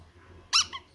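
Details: Single loud, rasping squeak from a baby parrot begging at feeding time, followed by a softer trailing note in a quiet room.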